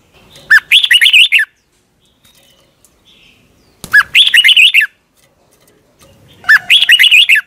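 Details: Red-whiskered bulbul from Thailand repeating its song: three near-identical phrases roughly three seconds apart, each a low upslurred start followed by six fast, rich warbled notes.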